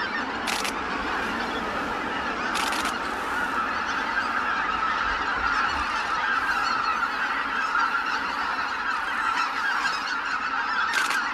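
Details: Roost departure of greater white-fronted geese, many birds calling at once in a thick, unbroken wall of honking, with several brief rushing noise bursts and a low rumble underneath.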